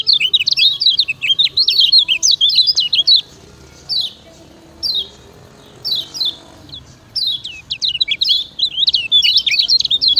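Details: Kecial kuning (Lemon-bellied white-eye) master song for training birds, Lombok: dense high warbling at the start, a pause with a few isolated chirp phrases, then renewed fast twittering.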